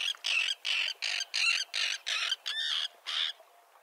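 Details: Series of harsh, rasping common tern calls, about eight in quick succession at roughly two or three per second, from a small colony with chicks on concrete in the sea near a mole at Liepāja, Latvia, in June 2024.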